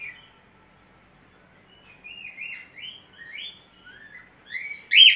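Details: Australian budgerigar giving a chattering warble of short rising and falling whistled chirps, sparse at first and then quicker, ending in a loud sharp squeak; quiet background.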